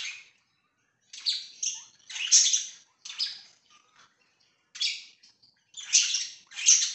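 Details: Budgerigars kept as pets, recorded 24 September 2024: bursts of harsh, buzzy chattering and high chirps, one every second or so, broken by short quiet gaps, with no other sounds heard.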